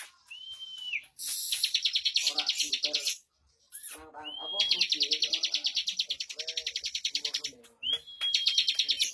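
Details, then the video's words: Bar-winged prinia in 'bocor' style with 'speed rapat' delivery. Each phrase opens with a short slurred whistle and runs into dense, rapid high chips. Three bursts are separated by brief pauses and softer lower notes. "Suara Burung CIBLEK Bocor Tipikal Ngunci lagu Speed Rapat !!!"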